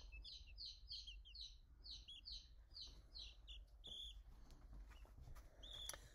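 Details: A meat-breed baby chick on a farm, left behind, peeps loudly in quick, high, downward-slurred notes, about three a second, calling for its companion to return, over a steady low rumble.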